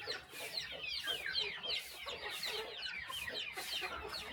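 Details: Chickens on a small countryside farm during morning feeding: a dense flock of short, high, downward-sliding chirps overlapping continuously, with soft hiss in the background.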